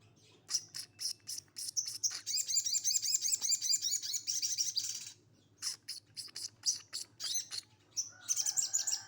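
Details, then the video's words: Sogon of the bulak type in rough 'tembakan' song: rapid, very high chirps, then a dense rattling trill of about three seconds, followed by more sharp notes and short twitters over a faint low hum. "Sogon bulak tembakan kasar"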